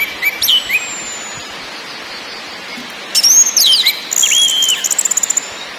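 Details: Anis merah, orange-headed thrush, lure song for birdkeepers: a few whistled phrases, a quiet gap, then loud sweeping whistles ending in a rapid series of dry ticks.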